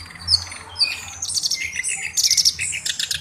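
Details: Black-browed reed warbler in full song, kept as a tutor bird for its unusual voice. Brief high scratchy phrases are followed by a fast burst of clipped, repeated chattering notes.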